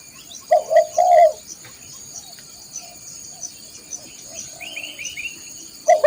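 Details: Spotted dove song used to train caged birds: a brief phrase of three low coos, then mostly a steady insect drone with faint chirps, and one more coo starting at the end.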